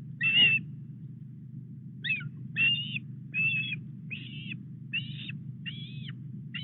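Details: Wild Osprey at its Llyn Clywedog nest, Wales, morning of 4 August as a headless fish arrives; piping whistled calls, some with a sliding start, repeated at uneven intervals above constant low wind-like noise.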